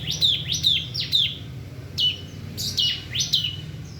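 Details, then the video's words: Bar-winged prinia (ciblek) singing in the ngebren style: sharp, high chirps that slide downward, given in quick pairs and triplets with short pauses between bursts, over a faint low hum. "Suara kicau ciblek ngebren"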